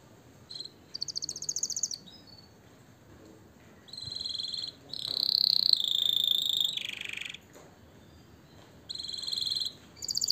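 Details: Canary song meant to excite breeding birds and tutor chicks: quiet, broken passages of short high trills and a louder sustained buzzy note, separated by near silences, with faint background hiss.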